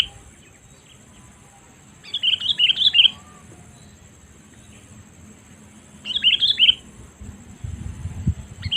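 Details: Sooty-headed bulbul calling as a lure for wild birds: bursts of rapid, warbling chirps at about two and six seconds, separated by quiet gaps, a low rumble near the end.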